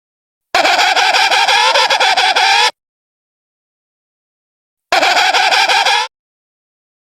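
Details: Emperor penguin (Aptenodytes forsteri) gives two loud, warbling, buzzy trumpet calls, about two seconds and then one second long, separated by silence.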